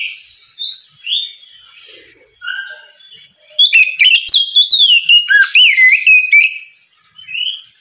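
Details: A few soft rising whistles, then a strong outpouring of quick, varied, slurred whistles from an oriental magpie-robin singing 'ngeplong' in the morning to call untrained magpie-robins into song; faint whistles return at the end.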